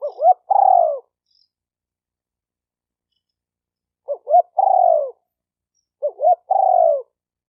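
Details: Spotted dove calling in a quiet setting: three phrases, each two short rising hooted notes followed by a longer, slightly falling coo, with a long pause after the first phrase.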